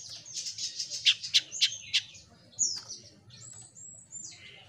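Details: Jenggot mini, a small songbird kept in a cage, delivering an energetic song: a burst of fast, sharp high chirps in a rhythmic run, followed by thin, drawn-out whistles.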